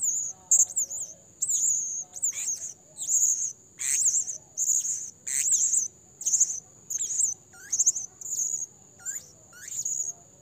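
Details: Lure calls of a blue-crowned hanging parrot for trapping, a rapid series of shrill, high-pitched twittering phrases about once every second, mixed with sharp descending squeaks, over a quiet background.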